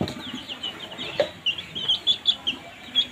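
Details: Young chickens peeping as they feed: a string of short, high chirps quickening toward the end, over a soft background hiss.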